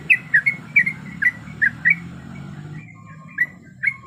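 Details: Sooty-headed bulbul female, in breeding condition, calling for a male, used as a lure recording: a short burst of sharp, clipped whistled notes, then a pause and two isolated notes.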